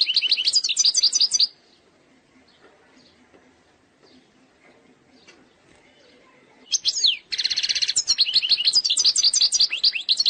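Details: European goldfinch of Algeria, flawless eastern-sector song: a fast twittering phrase, roughly five seconds of near silence, then sweeping notes, a harsh buzz and a rapid stream of chirps.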